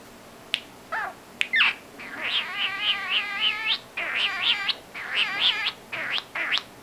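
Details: Pet female common starling, a talented mimic, speaking in a little whispery voice, copying her owner: a run of harmonic, wavering syllables with rising and falling inflections in speech-like phrases, separated by short gaps.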